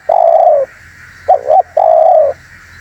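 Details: Spotted dove call used to lure birds: a long mellow coo, a short double-peaked coo after a pause, then another long drawn-out coo, loud and close with a steady faint hum behind.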